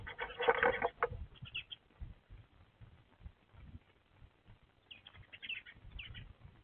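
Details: Eurasian tree sparrows (Passer montanus) at a nest box in December, around 11 a.m. A nesting female, likely with her mate, calls back and forth with flock birds on the roof. Loud harsh chirps, then brief bright chirp groups over a low rumble.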